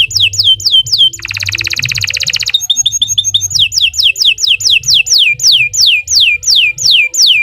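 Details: Canary song, Nusantara type, used as a tutor: falling whistled swoops, a very fast buzzy trill, clipped high notes, then a long steady series of loud descending swoops about two per second; low rumble underneath.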